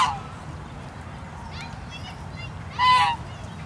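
A Chinese goose gives one loud, nasal, trumpeting honk near the end, after a few softer, thinner calls, over a steady low background rumble.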